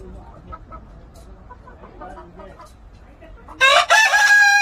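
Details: Korean native rooster crowing: a loud, harsh, strained crow bursts in near the end, broken briefly, after a stretch of soft scattered clucks and low background noise.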